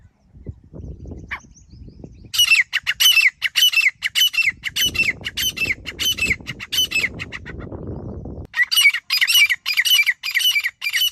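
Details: Grey francolin (desi teetar) hunting call used as a lure: loud, harsh, rapidly repeated squawking notes in rhythmic bursts, pausing for a stretch of rustling handling noise before the calling resumes.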